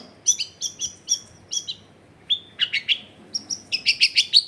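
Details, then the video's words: Long-tailed shrike singing richly varied phrases, recorded at a home in a dense residential area. Clear high chirped notes in spaced pairs, a short pause, then quicker buzzy chirps speeding into a rapid series. "CENDET GACOR BAHAN BUNYI ISIAN MELIMPAH CENDET DIAM LANGSUNG NYAUT EFEKTIF CENDET AGAR IKUT BUNYI"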